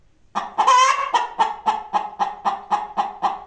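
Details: Free-range hen clucking rapidly and evenly after a drawn-out, louder opening squawk, the short harmonic pulses continuing at nearly four per second to the end.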